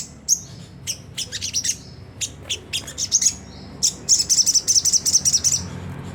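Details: Sunda whistling thrush, harsh 'ngriwik kasar' chatter used as a lure to set caged birds singing: short spaced groups of high, sharp chips, then a fast even series of clipped notes near the end, with a faint low hum beneath.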